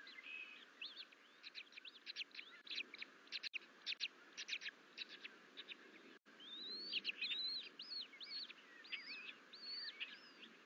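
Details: Bald eagle twin eaglets at the Fort St Vrain nest on 14 April 2024, crawling out of the nest bowl after the mother left; series of thin, high whistled chirps, some arching up and down, quick bursts then longer slurred notes, steady background hiss.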